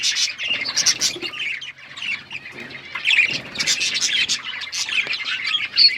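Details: Budgerigars chirping together: a dense, continuous chatter of overlapping warbled chirps and squeaks, with no clear pauses.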